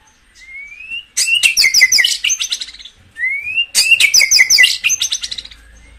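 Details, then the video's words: White-rumped shama singing to rouse caged birds: a smooth rising whistle leads into a fast, loud tumble of sharp chattering notes. The whole phrase repeats twice. "tiếng chích chòe lửa hót dùng kích chim căng lửa hiệu quả"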